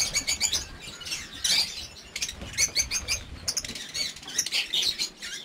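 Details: A crowd of lovebirds in a large breeding aviary in nesting season 2019 gives shrill, high, rapid chirps and squeaks that overlap continuously, with scattered clicks and wing flutters throughout.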